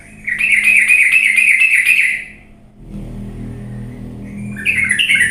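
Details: Sooty-headed bulbul song played as a lure so lazy birds start singing fiercely: a lively burst of repeated chirpy notes for two seconds, then a quieter gap with low rumbling background, and a new phrase beginning at the end.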